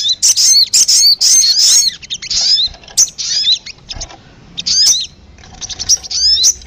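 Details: High, sharp twittering chirps of the sogon, used as a lure to pull in birds, in dense bursts at first, then sparser single notes with curving, slurred shapes.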